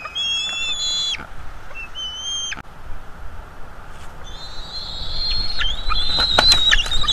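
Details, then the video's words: Bald eagle young at a North East Florida nest during a food delivery: a few high whistled squeals, then a run of overlapping thin wavering calls building louder toward the end, over faint rumble. "Food delivery for fluffy Juveniles on the North East Florida Eagle Livestream"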